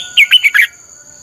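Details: Red-whiskered bulbul training song, one short phrase of four loud, slurred whistled notes in quick succession, followed by quiet with a constant high-pitched hum.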